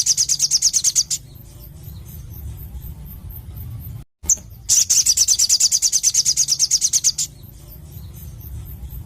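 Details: Sogon, the Crimson sunbird, in lively song for a masteran: a high, fast trill opens the clip, then after a brief gap a longer trill of rapid, sharp, buzzy pulses runs for over two seconds.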